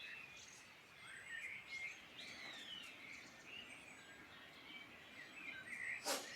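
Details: Birdsong in the Irish Midlands: several birds overlapping with thin whistled phrases and twittering notes over a soft steady background hiss, ending in a sharp broadband click near the end.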